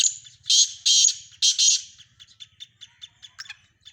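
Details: Sindhi black francolin among mixed francolin calls: four rasping, buzzy bursts close together, followed by a string of short dry ticking notes at a fast even pace over a faint low hum.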